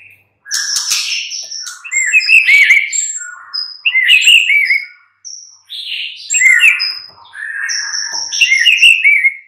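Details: A white-rumped shama sings in the mid-morning, its song serving as a lure to prompt other shamas to answer. Groups of fluty, warbling whistles arrive about every two seconds, topped by high piping notes, with short gaps between them.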